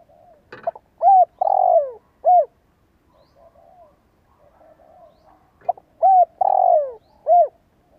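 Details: Two repeated coo phrases from a spotted dove decoy bird with a fine voice, about five seconds apart. Each has short notes, an arched coo, a long rolling falling croo and an arched coo. A brief click comes near the start.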